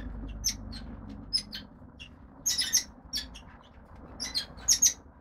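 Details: Red-rumped parrot nestlings, a brood of five lutino and pied-dilute females: sparse thin high squeaks and chirps, with a clustered burst near the middle, over a low background hum.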